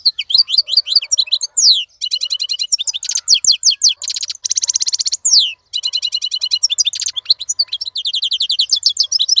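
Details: Tamed wild European goldfinch in nonstop song: dense high twittering, buzzy rattles and a long harsh trill, with only a brief gap near five and a half seconds before fast chattering notes resume.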